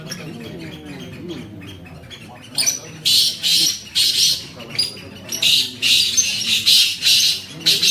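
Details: Black francolin in the UK. A man talks briefly at the start, then the bird begins a string of harsh, scratchy, hissing bursts, repeated about twice per second for several seconds.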